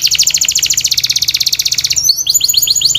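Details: Canary pouring out a rapid, pulsing high roll for two seconds, then switching to a series of quick upslurred whistled notes, loud and clear.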